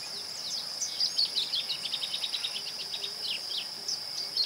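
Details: Masked yellowthroat recorded in the town of Ouro Preto, Minas Gerais, Brazil: a rapid run of short, high, slurred notes, then scattered chips, over a steady shrill insect drone.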